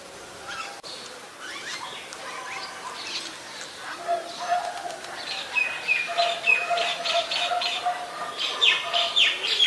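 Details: White-vented mynas (Acridotheres grandis) in Ubon Ratchathani, Thailand, 26 December 2020, give a busy mix of harsh chatters, squeaks and short whistles, several birds overlapping, with a steady low hum underneath and wingbeats.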